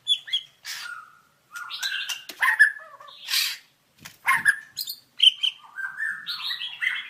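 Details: Masteran recording of white-rumped shama: varied song mixing clear whistles, slurred notes and harsh rasping bursts, with short gaps between phrases.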